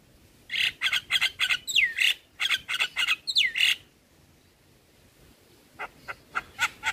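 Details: Javan myna among other starlings in a tutoring recording: rapid bursts of harsh, grating notes with two rising whistled slurs, a pause, then spaced squeaky chips.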